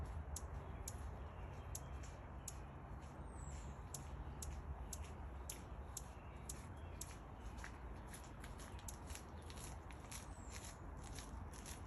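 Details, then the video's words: A hummingbird makes strange sounds: rapid, sharp, high ticking chips, about two or three a second, with an occasional thin squeaky down-slur, over a steady low rumble. "Humming Bird Makes Strange Sounds"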